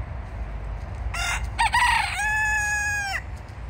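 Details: Free-roaming wild rooster in littered woodland at Alphen aan den Rijn, Netherlands, gives one full crow: a harsh rising start breaking into a long, held, strained note that ends abruptly after about two seconds.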